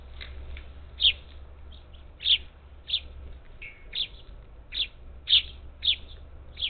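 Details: Parakeets, up to ten, at a Gulf Coast bird feeder on the outskirts of Houston, Texas, recorded 27 July 2021 by a feeder cam; short harsh chirps repeated irregularly, roughly one or two per second, over a low steady hum.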